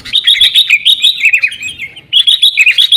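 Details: Sooty-headed bulbul chatter used as a lure for caged birds: a quick string of sharp, ringing chirps, a brief lull around two seconds, then another rapid series.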